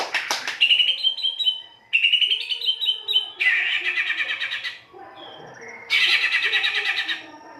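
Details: Rough-style white-rumped shama song played to prompt singing: several raspy, buzzy phrases with stuttering notes, separated by short gaps.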